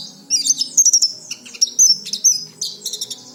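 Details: Oriental white-eye singing sharp, high, quick chip-and-trill notes in clustered bursts, used to provoke untrained white-eyes to sing fast.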